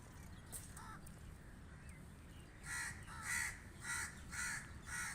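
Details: After faint distant calls, crows burst into five strong, harsh caws in regular rhythm, each about half a second apart, over low steady background noise.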